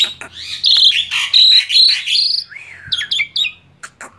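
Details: Male black-winged starling producing sustained high whistled notes in a steady string, followed by a downslurred whistle and quick clipped chirps.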